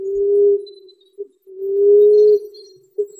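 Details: Common emerald dove (Chalcophaps indica), call.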